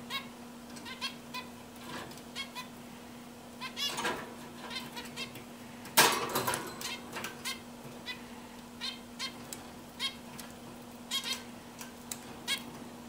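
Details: A zebra finch perched on a swing sings a string of short, nasal, buzzy notes over a steady low hum.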